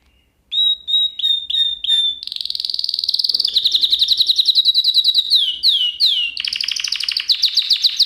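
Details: Canary song used to teach other canaries: after a short pause, flat whistled notes repeat, followed by long fast rolling trills, swooping downward slurs and another rapid roll to the end.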